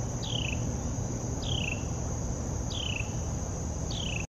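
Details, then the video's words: Carolina wren calling out one morning at Tuckahoe Creek Park, recorded on a Canon PowerShot SX70 HS: four brief downslurred buzzy notes evenly repeated every 1.2 seconds against a continuous shrill insect drone and low rumble. "Carolina Wren Calls"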